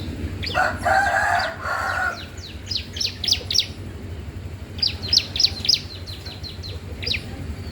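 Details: Bar-winged prinia singing energetically, a recording meant to tutor or lure young birds: a short noisy rustle first, then scattered bright downward-slurred chirps in loose runs over a steady low hum.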